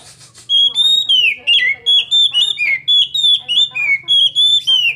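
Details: Young Oriental magpie-robin with a steady series of clear, downslurred whistles and short warbled phrases, roughly three per second, over a constant low hum, with a brief hiss at the start.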